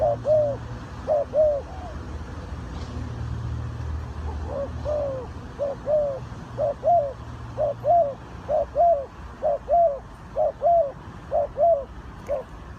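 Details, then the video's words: Spotted dove from Ninh Thuận, bird-trapping context, giving a long run of paired soft coos, quieter at first then steady, with a low hum beneath. "The Sound Of the dove"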